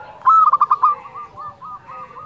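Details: Zebra dove of local stock in steady fluting song, meant to stir rivals and breeding urge; one phrase, a loud quick string of pulsed coos easing into softer, slower rolling notes.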